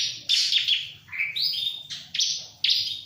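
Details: Lively ciblek (bar-winged prinia), not stressed by a myna: scratchy high bursts of notes, then a gliding rising phrase and further sharp chirps.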